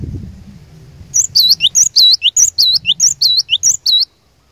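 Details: Cinereous tit lure bird delivering a fast chain of swooping whistled notes, dipping and rising, alternating with short sharp higher notes, about three seconds long after a quiet low-humming lead-in.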